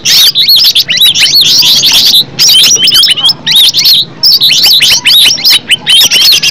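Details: Green leafbird (cucak ijo) song for luring other leafbirds to sing: bursts of rapid arched whistles and chips in groups, separated by brief gaps, high and energetic throughout.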